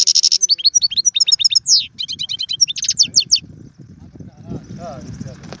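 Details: European goldfinch (mqnin) performing tiwawati, galoubi and serfati song styles: fast high pulsed trills and sharp sweeping notes for about three seconds, then the song stops and low murmuring sounds remain under faint high twitters.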